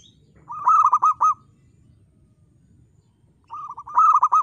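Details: Zebra dove, local type, singing eagerly in a crystal-clear voice: two loud phrases of rapid repeated rolling coos about three seconds apart, with a steady low hum behind.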